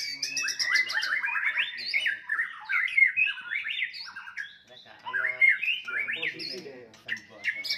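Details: White-rumped shama fighting song aimed at provoking rivals: continuous loud, harsh chatter mixed with sliding whistles and squawky notes, filling the whole stretch with few pauses, with low harmonic sounds faintly underneath.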